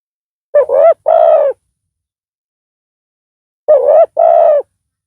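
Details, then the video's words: Spotted dove decoy with a big voice, used in pikat trapping to lure wild doves; two double coos about three seconds apart, each a short wavering note then a longer steady hollow coo, in silence. "Pikat tekukur tapau Bl suara besar"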